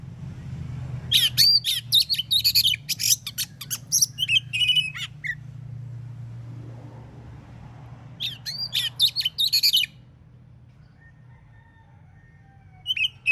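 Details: Oriental magpie-robin singing in the morning in the full 'ngeplong' style, meant to make other magpie-robins answer: two bursts of loud, varied high whistles and harsh, scratchy notes, separated by a quiet pause, over a low background hum.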